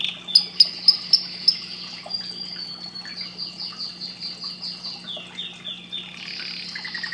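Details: Canary song, softer and more distant: a few sharp ticks, then a sustained high trill and rhythmic rolling phrases repeated about four times a second, with a constant low hum underneath.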